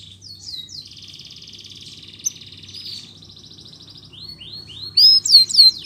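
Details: Canary in full song, used as a lure to get silent or lazy canaries singing again: brief down-slurred notes, then long fast buzzy trills that change pitch, ending in a run of quick sweeping whistled notes.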